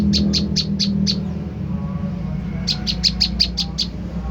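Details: Two bursts of high, sharp chirps, six then about eight, separated by a quiet gap, from an olive-backed tailorbird lure played to make birds answer; low rumble beneath.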